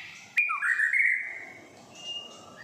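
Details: Long-tailed white-rumped shama, a pet male-type young bird six and a half months old with tail not yet grown, in Singapore in the morning: a sharp click then a clear whistled note sliding level and fading, faint soft whistles after.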